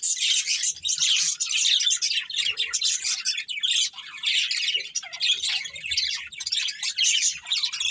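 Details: Budgerigar breeding pair chattering steadily, rapid buzzy and scratchy high-pitched warbles run together with little pause, bursts swelling and dipping every second or so.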